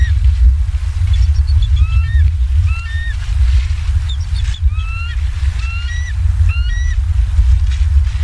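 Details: Bald eagles in Southwest Florida, filmed by live camera at 19:15 on 28 October 2022, give bursts of high, thin chirping whistles, first faint then clearer, with a heavy low rumble and occasional clicks beneath.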